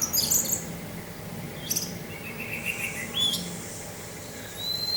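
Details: Teler-style song of an orange-headed thrush against wind: an opening flurry of high twittering notes, scattered short chips, then a bright rising whistle and a long thin high tone over a low rushing background.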